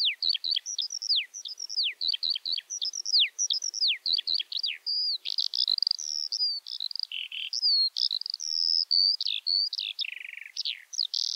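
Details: Skylark singing high over spring fields. Sharp descending whistles in quick succession turn into warbling, buzzy phrases in a continuous, jubilant stream.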